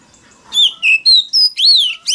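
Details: Oriental magpie-robin lure song meant to provoke wild rivals: six loud, pure whistled notes, some flat, some swooping up and down, spaced by brief gaps over about two seconds.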